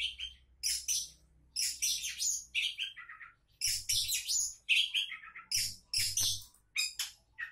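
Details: Oriental magpie-robin, described as a champion-prospect bird, delivering a rich, fast song of varied phrases: sweet whistles, buzzy trills and falling notes at mid-to-high pitch, in bursts with short gaps, plus faint low thumps underneath.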